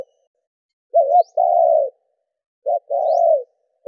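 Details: Spotted dove in đảo nước and gù cooing, used to get caged doves responding: a wavering short double note then a long flat mellow coo, twice, each followed by a faint high rising chirp.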